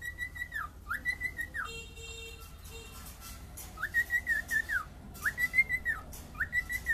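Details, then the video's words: Cockatiel singing arched whistled phrases that rise, hold and fall, separated by a pause filled with a buzzy tonal sound and low hum before the whistles resume in a repeated series. "Cockatial singing."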